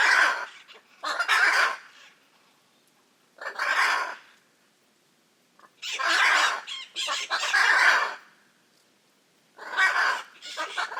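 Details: Raucous Hyacinth macaw calls from the Brazilian Pantanal: grating squawks delivered in irregular clusters, some doubled, with brief silences between the groups.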